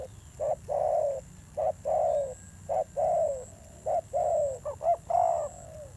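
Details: Newly caught wild spotted dove cooing in a fierce tone, low mellow coos paired short then long, the long notes sliding slightly downward, ending with a quick stuttered triple note before a final drawn coo.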